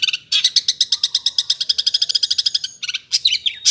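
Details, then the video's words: Long-tailed shrike in full, lively song: a fast run of about twenty harsh, scratchy notes repeated evenly for over two seconds, then a short break and a few varied rasping phrases. "BURUNG CENDET / PENTET GACOR"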